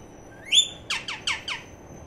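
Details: Baby budgerigar calling indoors: one thin rising chirp, then four quick squawky chirps that sweep downward, spaced about a fifth of a second apart, in a quiet room.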